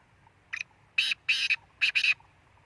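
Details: Black francolin call, a loud rhythmic phrase: one short scratchy note, two longer harsh buzzy bursts, then a closely spaced pair of rasping notes, all within about two seconds.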